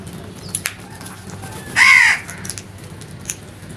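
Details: One loud, raspy crow caw of about a third of a second stands out against a quiet background with soft ticks and a low hum.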